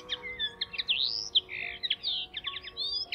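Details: Spring song of a Common Linnet, the third and closest of several singing at RSPB Rainham Marshes. Fast, rambling twitter of chirps, trills and short whistled notes, mostly high-pitched, over a steady low hum of road and plane noise.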